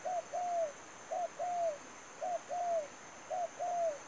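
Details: Spotted dove serving as a lure for bird trapping, repeating a two-part call four times: a brief note followed by a longer downslurred coo, about once per second, with steady background hiss.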